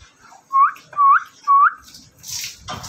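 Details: Parrot giving three loud whistled calls, each a short clear note dipping then rising, about half a second apart, followed by rustling and clatter.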